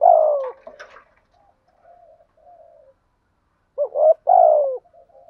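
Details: Decoy spotted dove cooing, a long falling coo, faint soft notes trailing off, then a short rising note and a longer descending coo near the end.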